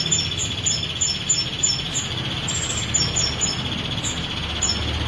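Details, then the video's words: Ashy prinia, female, singing nonstop for 22 seconds: bursts of quick, piercing high chips strung together in rapid runs, accompanied by a steady electronic whine and faint low background noise. "Masteran Prenjak Betina Kristal Nembak 22 Detik Tanpa Jeda"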